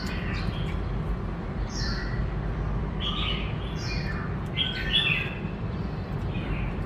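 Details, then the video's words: Black-throated laughingthrush singing a varied song that switches between many voices: short whistled and slurred phrases, some falling, scattered through the recording at mid to high pitch over a loud, steady low rumble. "Tiếng Chim Khướu Rừng Hót Đảo Nhiều Giọng Hay Kích Bổi - Khướu bạc má hót"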